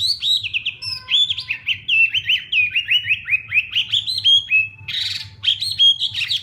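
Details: Hwamei in a morning singing session for contests. A long fast series of bright, ringing whistles is broken by a short harsh, noisy burst midway, then the whistled notes resume.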